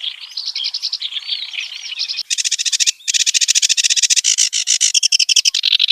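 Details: A wild kerak basi gives rapid churring chatter, then a loud machine-gun series of harsh, evenly spaced notes, several per second, continuing to the end.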